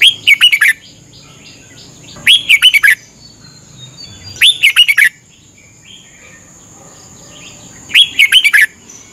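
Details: Morning training song of a red-whiskered bulbul in Thailand, used so birds learn to sing; four crisp phrases of fast, chirpy whistled notes at irregular intervals of two to three seconds, over a faint steady whine.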